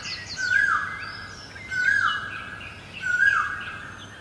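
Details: Three loud, plaintive great barbet notes, each rising sharply then dropping into a held tone, about 1.4 seconds apart; recorded in Guangzhou in April 2022, with scattered high chirps from other birds.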